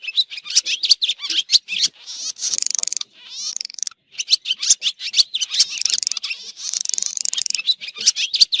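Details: Swallow calls from a 2023 recording: dense, high chittering bursts and rapid buzzy trills, repeated almost without pause, with fast twittering notes running through the middle.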